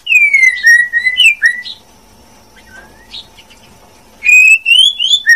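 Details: Song of a female white-rumped shama, loud fluid whistles that slide up and down, a silent gap of about two seconds, then another rising whistled phrase; faint background hum throughout.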